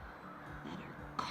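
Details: American crows in Shawme-Crowell State Forest, Cape Cod, giving harsh, hoarse caws, with a louder caw near the end, over a woman's voice; she suspects they are mobbing a hawk or owl.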